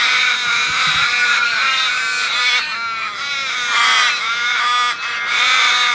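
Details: Crows in a flock calling loudly, overlapping nasal caws forming an unbroken, raucous din throughout, with slight surges in intensity.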